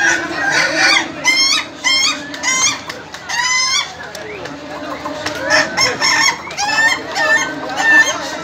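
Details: Laughing chicken rooster crowing during a contest final in Indonesia: clipped, rapid-fire cackling phrases about two seconds long with short pauses, a second bird joining later, and a low crowd hum.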